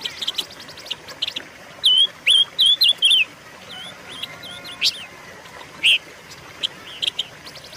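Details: Silver-eared mesia song recorded as lure and training material for caged birds: a quick run of five loud, slurred whistled notes, then scattered single whistles, with soft dry chirps and ticks before and between.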